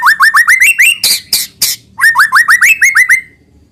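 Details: White-rumped shama song for training young birds to sing: a string of repeated rising whistled notes, a few harsh bursts, then the same rising series again.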